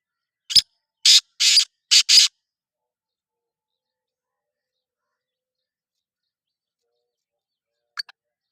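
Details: Black francolin calling: a phrase of five loud, harsh, grating notes, the last four in two quick pairs, over about two seconds, then silence and a faint short note near the end.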